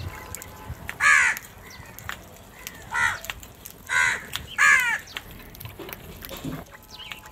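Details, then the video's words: Crows gathered in large numbers cawing: four loud, rasping, harmonic caws spaced about a second apart, each slightly drooping in pitch, with faint background noise. "Huge numbers of crows crowing and crying sounds"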